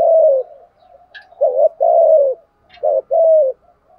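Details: Lure spotted dove, used to stir up rival males, delivering deep mellow coos: a long falling note, then two paired phrases of a short and a drawn-out coo, with faint chirps overhead.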